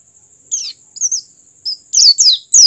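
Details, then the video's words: Oriental white-eye giving the 'open beak' song meant to get other white-eyes singing; a few short, high, slurred chirps spaced irregularly, then a brief denser cluster, over a faint steady high tone. "PLECI BUKA PARUH cepat merangsang pleci agar ikut buka paruh."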